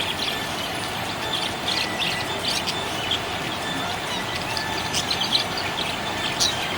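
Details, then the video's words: Happy pet budgerigar chirping: short, high, scattered chirps and squeaks, several per second in bursts, over a constant steady hiss in the background. "Happy budgie chirping sound"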